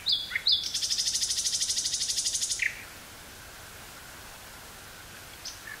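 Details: Common nightingale singing in woods near Burgh-Haamstede, Netherlands, on 18 May 1983, taped on a portable cassette recorder: a brief whistled note, then a fast buzzy rattle of about twenty pulses lasting two seconds, followed by quiet with faint notes.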